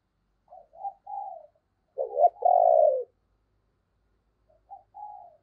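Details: Decoy spotted dove urging others to coo: soft introductory notes and a mellow coo, then a loud, stuttering note leading into a long, full coo, and a quieter repeat at the end.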